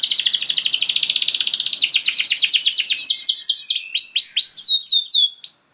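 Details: Canary pouring out long 'gacor' song meant to trigger singing in other canaries: a long rapid rolling trill gradually slows into separate swooping whistled notes.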